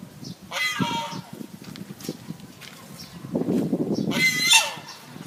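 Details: A pair of pet geese kept at a college in Phnom Penh give two loud, harsh, brassy honks about three and a half seconds apart over a low, steady murmur of background noise.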